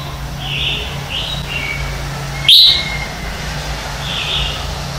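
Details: Red-whiskered bulbul morning competition song, used as decoy singing to train birds: scattered short warbled phrases, one sudden loud bright burst near the middle, steady low hum underneath.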